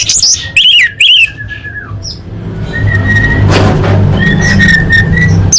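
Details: A female orange-headed thrush calls males, used to coax silent birds into song: two or three loud, sharp whistled notes open the recording, followed by a long falling whistle and fainter steady whistles over a humming background.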